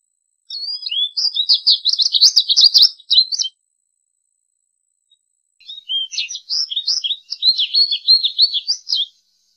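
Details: Two separate twittering phrases from an American goldfinch, each a rapid string of high chirps and buzzy slurred notes, divided by a silent gap of about two seconds.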